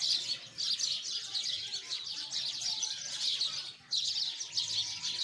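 Sparrows chirp in a dense, overlapping chatter of high, sharp notes, with brief lulls between bursts; several birds seem to call at once.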